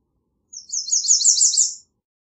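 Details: A high-pitched, lisping American redstart song of repeated short notes delivered in quick succession for about one and a half seconds, growing louder toward the end, with a clean, quiet background.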